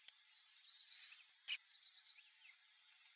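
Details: A male Burnished-buff Tanager visiting a backyard for papaya bait gives thin, very high paired tsip notes about once a second, with a single sharp knock midway and faint insect hiss behind.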